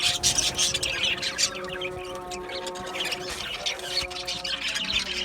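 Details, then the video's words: Aviary colony of Australian budgies, clustered high chirps and warbling chatter rising and falling, over a background of steady low tonal hum. "Beautiful Australian Budgie birds Chirping Sounds"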